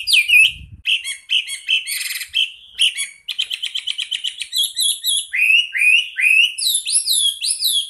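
A Chinese Hwamei sings a rich, varied run of loud whistles, rapid trills and buzzy phrases, ending in a string of sweeping, slurred notes.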